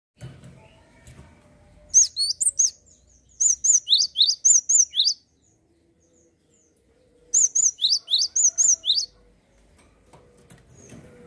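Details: Java sparrow singing nonstop, used to spur young or silent birds into song: two bursts of sharp chirps alternating high level notes with lower downslurred ones, about four per second, separated by quiet pauses.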